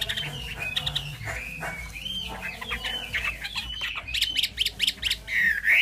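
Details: Chinese hwamei, a kept songbird in Vietnam, singing a loud varied song of slurred whistles and chattering notes, ending in rapid repeated sharp whistled phrases and a rising slurred note.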